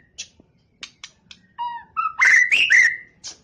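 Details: Scattered soft ticks, then a champion competition white-rumped shama builds through stepped whistled notes into a loud, rich, ringing burst with harsh clicking overtones.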